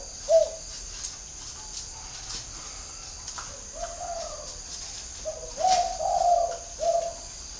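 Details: Whistle-voiced decoy spotted dove delivering a sharp opening note, then softer scattered coos and a louder drawn-out cooing phrase toward the end, against a low constant hiss.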